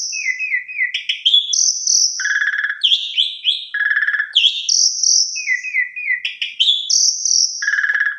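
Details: Asian pied starling (jalak suren) singing prolifically as a lure for less vocal birds: long whistled notes near the top of the range alternate with rasping, buzzy bursts and stepped chirping phrases, the sequence recurring in a loop.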